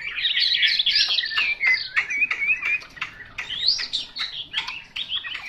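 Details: Chinese hwamei singing a busy, loud medley of whistled slurs, trills and sharp chips, delivered in quick bursts with short pauses between phrases.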